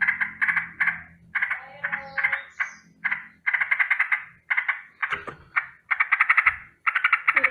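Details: Yellow-vented bulbul giving a rolling alarm call in the morning: bursts of fast, rattling notes repeated in quick series, each lasting under a second with short gaps between. Faint low rumble underneath.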